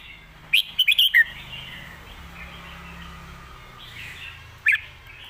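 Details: Red-whiskered bulbul singing in the master-pattern style: a quick burst of four or five bright, chirpy whistled notes near the start, a long quiet gap with a faint low hum, then one short sharp phrase near the end.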